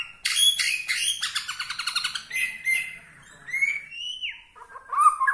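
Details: Singing white-rumped shama of the Borneo type, its style said to rile other shamas: a dense burst of rapid rattling notes followed by pure whistles falling and rising.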